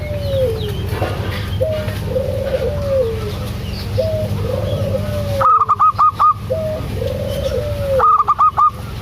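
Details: Local zebra dove in full voice, used to lure a quiet dove into calling: soft, low, slurred cooing phrases repeated about every second, joined later by bursts of rapid higher clicking notes, over a steady hum.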